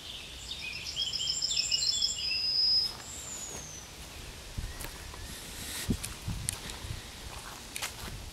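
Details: Yellowhammer singing at the edge of Kabaty Forest: a quick run of about a dozen repeated high chipping notes ends in a drawn-out note and a thin, high falling note, followed by clicks and rustling.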